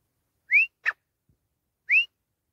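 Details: Teetar, the grey francolin: two clear upward-sliding whistles about a second and a half apart, with a short harsh note after the first.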